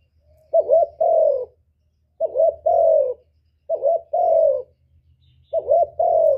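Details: Trapping-lure recording of spotted dove coos: four mellow phrases spaced roughly 1.5 seconds apart, each opening with a brief wavering note and ending in a longer, slightly falling coo, over faint low background hum.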